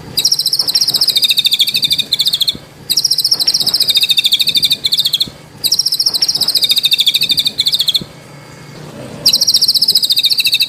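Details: White-rumped shama (murai batu) from Indonesia, full training song without coughing notes: long, fast, high buzzy trills lasting about two seconds each, separated by short pauses.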